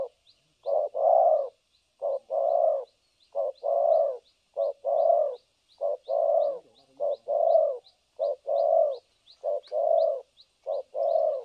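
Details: Spotted dove kept as a trapping decoy, cooing continuously in the thổ cấn sấm nước style: steady short-long coo pairs about every second over a repeated faint high ticking.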